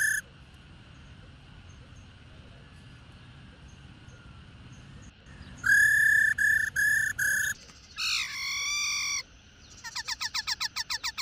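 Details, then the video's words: Wild-caught adult female black-throated laughingthrush whose rolling calls stimulate males to sing; after five quiet seconds come four loud harmonic notes, then a longer bending note and a fast run of short clipped notes. "KHƯỚU MÁI RÒ RÒ...GIÀ RỪNG .Kích Trống Hót Căng"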